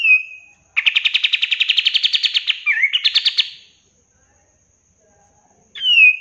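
A bulbul gives a fast, even trill of about twenty bright chattering notes, a brief slurred note, then a second shorter trill, framed by clear down-slurred whistles.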